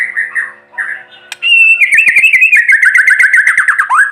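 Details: Morning song of a white-rumped shama (murai batu) kept to sun, meant to stir silent birds: brief soft notes, then a loud sustained trilling warble of rapid wavering whistles slowly falling in pitch.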